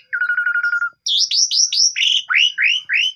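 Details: Javan pied starling song meant to coax a silent bird into singing each morning, phone recording: a trilled buzzy note, then a series of repeated rising whistles, each about a third of a second, in steady rhythm.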